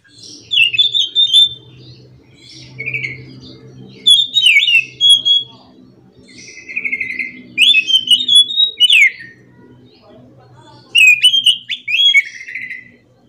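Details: In the morning an orange-headed thrush delivers rolling song phrases: varied whistled warbles and buzzy slurs come in bursts every two to three seconds over a steady low humming background.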